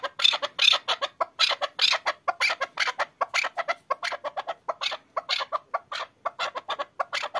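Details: Chukar partridge kept for hunting, in an excited state, gives a continuous volley of harsh, high chuk notes at a rapid, uneven pace.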